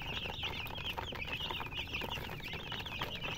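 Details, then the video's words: Chickens with a murgi hen: a dense, continuous chorus of short, high chirps overlapping throughout, many birds calling at once, with a steady low rumble underneath. "silly chicken chirping sounds with murgi hen color chicken"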